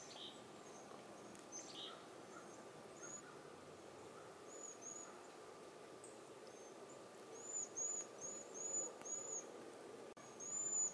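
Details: Cedar waxwings in a backyard give soft, very high, thin, lisping trilled whistles in short bursts, bunched near the end; chickadees, nuthatches and crows may also be heard, over a steady hum and faint rustle.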